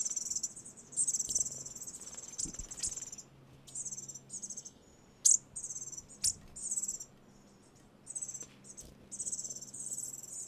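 Bushtits give very high, thin, buzzy twitters in short irregular bursts, some trilled, over a faint low hum.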